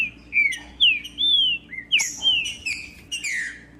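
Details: Green-winged saltator singing, meant to stimulate a silent captive bird: clear whistled phrase of downslurred notes, one long level whistle and a low note, then sharper falling slurs, with a faint hum.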